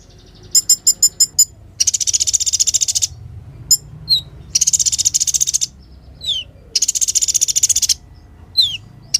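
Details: High, clean song of a kolibri ninja sunbird: a few spaced ticks, then long buzzy trills broken by thin descending whistled notes.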